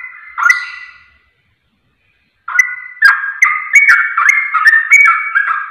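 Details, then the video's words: Sooty-headed bulbul song used as a lure. One bubbly phrase is followed by over a second of silence, then a quickening stream of clear, slurred whistles with crisp clicks. "Pancingan Trucuk Ampuh Nyaut Ropel Hitungan Detik"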